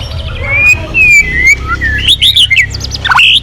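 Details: Short burst of white-rumped shama song, a lure to make other birds sing: long thin whistles gliding across the scale, then quick rising looped notes and sharp chips, over a faint low hum.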